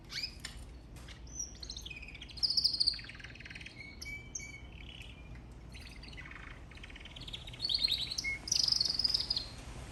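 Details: Canary singing a long, varied song of rapid high trills, buzzy rolls and clear whistled notes. Pitch shifts between phrases, with louder trilled passages near the start and the end.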